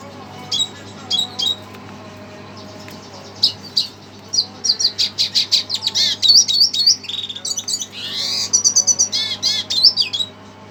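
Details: Red siskin reacting to a played recording opens with scattered high chip notes, then builds into a dense, fast twittering song with buzzy rising slurs, nearly three notes a second.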